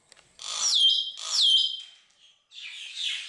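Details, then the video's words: Common hill myna at the bird garden zoo in Upie, Drôme, France, a talkative bird and outstanding imitator, gives two loud, piercing calls, each ending in a sharp downward-sliding whistle. A quieter harsh rasp follows, with a person's voice just before and after. "Le Mainate religieux est un oiseau bavard"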